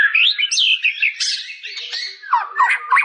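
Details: Dense, continuous warbling from a white-rumped shama, mixing swooping whistles, buzzy notes and downward slurs with no pauses.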